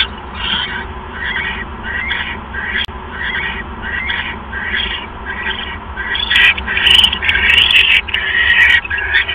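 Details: Owl at the nest as a mouse is delivered, evening of 1 January 2015. Rapid, raspy hissed bursts repeat close together, then grow louder and more jumbled toward the end, with some clicking.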